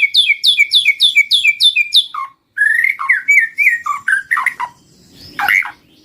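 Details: White-rumped shama song for luring wild birds: a brisk series of about ten repeated double notes, then varied mellow whistles and jumpy lower notes ending in a harsh rasp.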